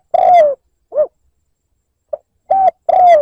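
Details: A single liêu lỡ coo phrase of a spotted dove used as a rival-provoking lure: a long falling coo, a short dipping note, a faint soft hoot, then another full coo, in a quiet background.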